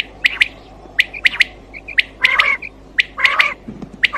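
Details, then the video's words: Quail voice for hunting at night: crisp high chirps in pairs and triplets with grating, nasal squawks between them, repeated roughly every second, with a low hum beneath. "Quail Voice Sounds For Hunting Raat Ki liye Saaf Awazay Quail sounds Batair Ki Awaz"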